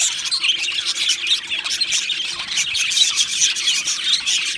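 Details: Two male budgerigars giving busy, high-pitched chirps mixed with harsher squawks, the chatter running on steadily with small surges in loudness.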